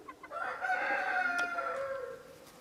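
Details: A partridge Araucana rooster, from a chicken breed originating in Chile, crows once. Two short pips lead into a loud, level, harmonic call lasting nearly two seconds that slides slightly downward as it fades.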